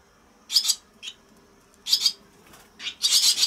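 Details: Swallow nestlings at a nest in early June, around 19:30 in the evening, give harsh, raspy chattering bursts, several in quick succession and rising to a louder clamour at the end, over a quiet background.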